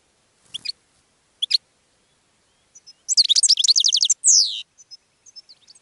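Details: Goldfinch singing to draw in other birds: scattered sharp chips, then a fast run of ringing twitters ending in a falling buzz, followed by soft high tinkling notes. There is no other noise.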